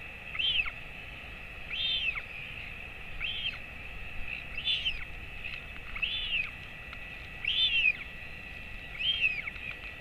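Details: Adult royal albatross feeding its 217-day-old chick late in the morning of 28 August 2024 in a colony. Arched, squeaky piping calls repeat about every 1.4 seconds, seven in a row, over a constant hiss.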